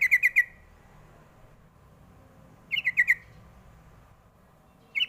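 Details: Calls of a sooty-headed bulbul, used to lure young birds into answering, come as short bursts of four quick, bright, stepping-down chirps, repeated roughly every two and a half seconds against a quiet background.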